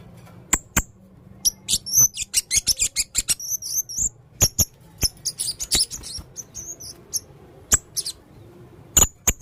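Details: Red-throated male blue-crowned hanging parrot in full voice: dense bursts of shrill, buzzy, high chattering notes packed several per second, mixed with sharp clicks, continuing for most of nine seconds.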